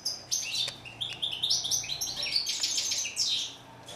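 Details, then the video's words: European goldfinch (Moroccan name steyla) singing steadily: fast liquid twitters and rasping buzzes run together, with a few soft clicks and a light low hum in the background. "Song of bird goldfinch"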